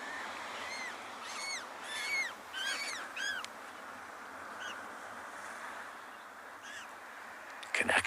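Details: African penguin chicks, 5 May 2022, in a nest against a penguin protection fence in dense vegetation, beg for food from the adult caring for them: a rapid run of thin, arched, rising-and-falling peeps, fainter scattered calls, then a sudden knock.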